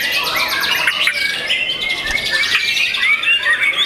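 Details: Young white-rumped shama, a caged contest bird, singing a dense, continuous run of varied whistled and chattering phrases with rapid trills and sharp upslurred notes.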